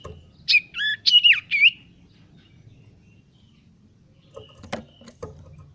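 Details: Common iora male practising gocor song while learning to sing: four clear whistled notes in quick succession, wavering and bending between pitches, followed by silence and a few soft clicks and knocks.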